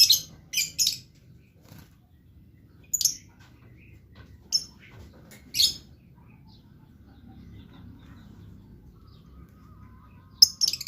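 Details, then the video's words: Blue lovebird calling actively; short high shrill chirps in scattered bursts, three close together at the start, then single chirps at about three, four and a half, five and a half and ten seconds, with quiet gaps between. "LOVE BIRD GACOR"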